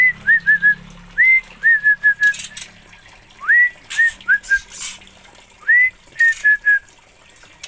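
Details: Oriental magpie-robin from Aceh delivering short phrases, each a rising whistle followed by several brief level notes, with a faint low hum and some hissing noise bursts.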